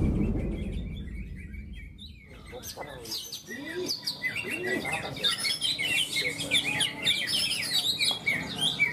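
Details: Greater green leafbird at a songbird contest in Malinau, North Kalimantan, 6 March 2022: varied high chirped and whistled phrases with rising and falling notes, after a low rumbling start, with other birds and crowd noise.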